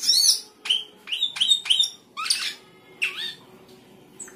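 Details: Sooty-headed bulbul in the 'gacor isian' singing style: a loud burst of high chirps, then a run of sharp rising whistled notes repeated about every third of a second, a lower swooping note, and a thin closing whistle.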